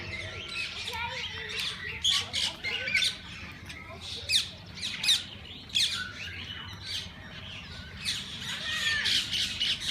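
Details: Many parakeets of different kinds in a walk-in parrot zoo aviary open to visitors: continuous high, scratchy squawking and twittering from a crowded flock, swelling in loud clusters every second or two, with soft background talk.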